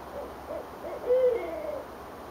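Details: Owls call back and forth from high trees in Richmond, Virginia, on 8 January 2012, recorded from a porch above the James River. One gives low, hollow hoots, one note swelling louder midway, over a quiet background hiss.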